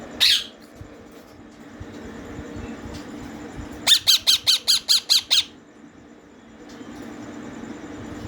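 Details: Young green ringneck (rose-ringed) parakeet chicks being fed by people at feeding time: a lone harsh squawk, then a rapid burst of about eight raspy pulses over a second and a half, with low room noise.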